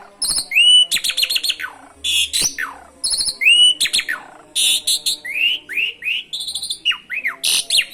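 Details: Asian pied starling singing vigorously with canary imitations. Varied, loud phrases mix high clear whistles, rapid trills, harsh squawks and a string of rising whistled notes near the end, with barely any pauses.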